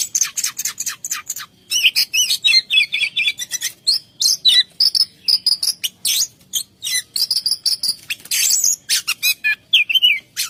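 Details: Oriental magpie-robin singing continuously in a rolling style with mimicked phrases, a dense, loud stream of rapid high chirps, buzzes and trills with barely any pause.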